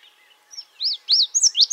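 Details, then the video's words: Indigo Bunting giving a quick run of high, sweet, slurred notes, each arching up and down, growing louder over about a second, with a faint steady hum behind. "Indigo Bunting Call"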